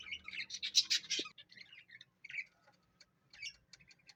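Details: Pet parrot chattering in dense, high chirps for just over a second, then a few isolated squeaks and short twittering bursts separated by silence.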